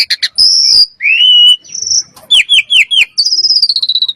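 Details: Common myna giving sharp clicks, drawn-out whistles, a run of four quick falling notes and a final fast buzzy trill.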